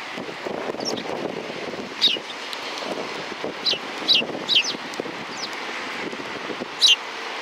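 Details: Sparrows, recorded 31 January 2020, giving short sharp chirps in scattered ones and quick pairs over several seconds, set against steady wind noise and a faint rustling background.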